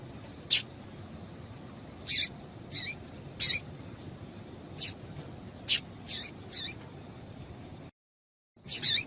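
A female Double-collared Seedeater gives short, sharp, high chirps, singly or in quick pairs, every second or so, over a steady high hum.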